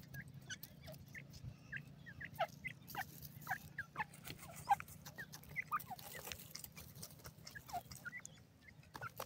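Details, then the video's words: Ring-necked pheasant chicks calling: scattered thin, high peeping notes from several chicks, faint and irregular, over a steady low hum and occasional soft clicks. "golden ringneck pheasant chicks,ringneck dakhni teetat baby ki awaz"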